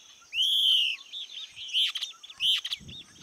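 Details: A bird in Capelinha / Angelândia, Minas Gerais, Brazil, sings a long, clear, high whistled note that arches slightly, then two shorter bright phrases with quick chips; a faint low rustle near the end.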